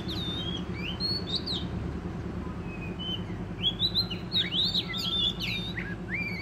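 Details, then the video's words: Wild Oriental magpie-robin from the forest in energetic song, clear whistled phrases and upward slurs, a brief pause midway, then a dense, loud run of sweeping notes; steady low background hum. "chích chòe than bổi rừng hót rất sung"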